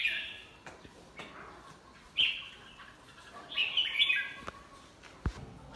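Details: Released tame red-whiskered bulbul: faint sustained whistled notes at the start, then a brighter whistled phrase midway, with scattered clicks and steady background noise.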